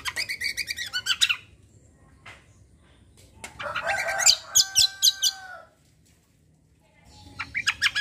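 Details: Cucak performing a kombo song in fast bursts, rapid pulsed trills separated by short silences, then a buzzy warbling burst and another quick trill.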